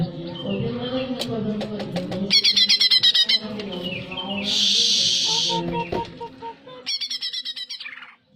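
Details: Greater green leafbird song for raising breeding arousal: soft chips build into rapid rattling trills of repeated buzzy notes, interrupted by a loud hissing noise burst, then another trill fading out.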